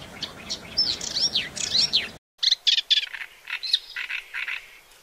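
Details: Paddyfield warbler giving a hurried, chattering song of mixed chirps and slurred notes. After a brief gap, a series of harsher repeated notes follows.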